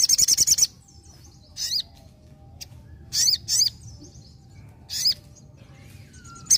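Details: Rapid string of shrill high notes from a sogon, followed by isolated loud swooping whistles separated by pauses of one to two seconds, over a low steady background hum.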